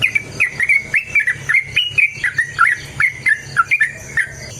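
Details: Yellow-vented bulbul song used as a lure to make other bulbuls sing: a steady run of bubbly, liquid whistled notes dipping and rising around a middle pitch, one every few tenths of a second, over a low hum.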